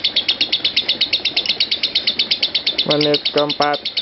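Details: Lovebird ngekek, a training master for other lovebirds: quick, high, squeaky chirps in a steady rapid series, overlapped near the end by three short bursts of a lower human voice.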